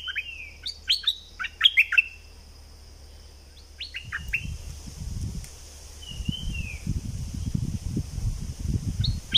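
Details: Thick-billed flowerpecker lure sound, southern Thailand: sharp high chirps in a quick cluster at the start, a few more scattered later, a soft slurred whistle, and low rumbling noise in between.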